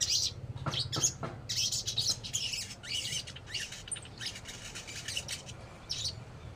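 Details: Sogon, or crimson sunbird, from the Indonesian bird-keeping scene, giving a rapid stream of sharp, high twittering notes in uneven bursts, against faint low background hum.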